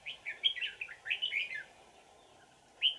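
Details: A wild old red-whiskered bulbul, noted for its twisting bell-like voice, while being trapped with a decoy on 20 December 2018, delivers a fast, jumbled string of mellow slurred whistles, then a single sharp note after silence.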